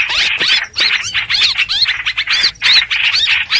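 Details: Streak-eared bulbul lure recording for bird trapping, with rapid, scratchy chatter and bright upslurred whistles packed into dense bursts that recur roughly once a second, plus a faint low hum beneath.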